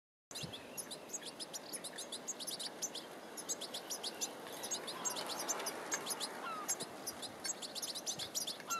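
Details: European goldfinch, a scruffy-looking adult raising young, on Vlieland, Friesland, the Netherlands, 23 August 2020: dense, rapid high tinkling twitters and chirps repeated steadily throughout, over a soft background hiss.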